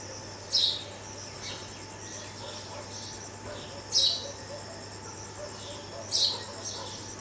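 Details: Red-vented bulbul fledgling being fed by its parents on a first floor after a cat attacked the nest; captured with a Canon 80D. Three abrupt, high squeaky chirps at uneven gaps amid a continuous cricket-like drone.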